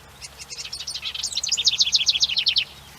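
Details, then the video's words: House wren song, played back as an example of a common bird, loud and insistent from a very small bird: a rapid jumble of high notes building into an evenly repeated series of bright trilled notes lasting about two and a half seconds. "It's a really loud and insistent call coming from a very small bird."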